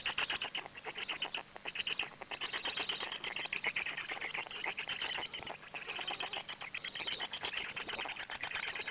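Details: Black stork at its nest in Gemenc on 13 May 2017 at 20:04, as an adult arrives and then feeds; continuous dense raspy hissing with rapid crackling patter and brief dips in loudness.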